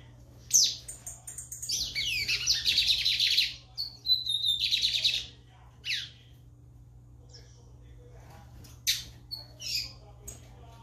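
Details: Lined seedeater in full song, giving a fast stream of bright, high chattering trills with slurred whistles, then a pause broken by isolated short chips and clicks over a faint low hum.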